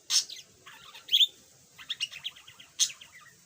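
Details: Pet yellow budgerigar that used to be mute, now chattering: sharp chirps and squeaks alternating with a rapid string of short, scratchy warbled notes, ending with another sharp chirp.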